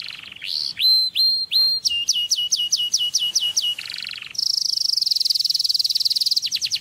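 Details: Canary song for stimulating mating: it opens with slow rising whistled notes, then a fast series of repeated upslurred notes. A brief low buzzy roll follows, then a long, very rapid high trill ending in quick slurred notes.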